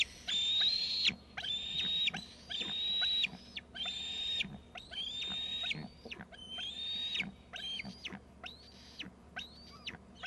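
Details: Two eaglets off the nest in Gregg's tree, both screeping: long high whistled notes, each ending in a sharp downward slur, repeated about once a second, some calls overlapping.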